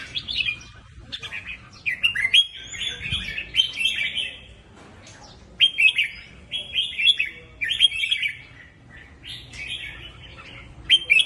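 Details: Red-whiskered bulbul with repeated short warbling phrases, each a cluster of bright slurred notes, delivered in bursts every second or two with quieter gaps between.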